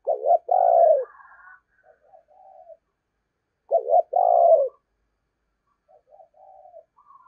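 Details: Caged decoy spotted dove giving its 'giọng thổ' coo twice, about three and a half seconds apart. Each phrase is a clipped double note then a long, hoarse, deep coo, followed by quiet, broken trailing notes.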